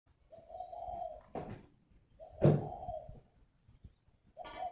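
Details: Spotted dove kept as a decoy bird at a bird farm in Ba Vì, Hanoi, Vietnam: two drawn-out low hooting coos, each cut by loud knocking thumps, with a further coo starting at the end.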